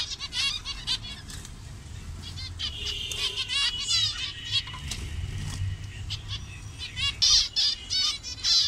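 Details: Colony of captive zebra finches in Bangladesh, various colour morphs, calling in nasal bursts over a thin sustained tone, with wing flutters and a louder cluster of calls near the end.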